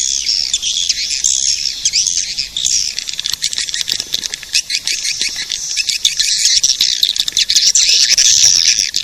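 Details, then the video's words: Edible-nest swiftlet calling sound played to attract swiftlets: dense, high-pitched twittering chirps overlap continuously, with many rapid squeaky notes running together throughout. "Suara pemanggil burung walet"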